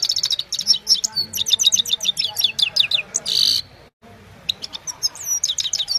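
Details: Himalayan goldfinch singing in the evening, recorded on a mobile phone: rapid high twittering run of sharp notes and slurred whistles, a brief harsh buzzy burst near the middle, then more bright twitters after a short pause.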